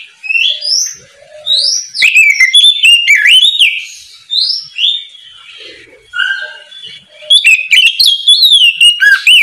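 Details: Morning song of an oriental magpie-robin, delivered loud and open to draw untrained magpie-robins into answering; varied phrases of sweet whistles, sharp upslurred notes and scratchy chirps come in bursts separated by short pauses.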